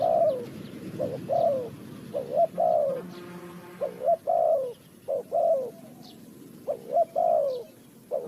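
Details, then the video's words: Spotted dove linked to bird trapping in Ninh Thuận, Vietnam, cooing steadily: repeated phrases of a brief clipped note followed by a drawn-out, downward-sliding coo, about one phrase per second, faint chirps of other birds behind. "The Sound Of the dove,The Sound Of Cuckoo Bird,เสียงนกเขาใหญ่,Bird Trap,Cu gáy Ninh Thuận"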